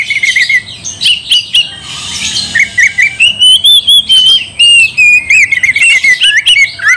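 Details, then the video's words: Kacer, the oriental magpie-robin, in loud challenging song meant to provoke a rival: fast, varied whistles and chirps, a long wavering sustained whistle in the middle, then clipped repeated notes and downward slurs. "Kacer gacor bikin kacer ngamuk"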